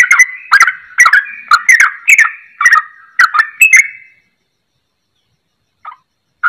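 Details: Yellow-vented bulbul singing rapidly while imitating a straw-headed bulbul's voice: loud, harsh bursts mixed with bubbly notes, repeated about twice a second for four seconds, then silence broken by two short notes.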